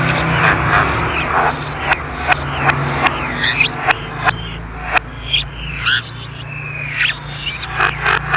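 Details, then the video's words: Javan myna giving its typical natural song: a rapid jumble of sharp broadband clicks and harsh squawks mixed with short whistled swoops and slurred notes, over a steady low electrical hum. "Kicau Jalak Kebo"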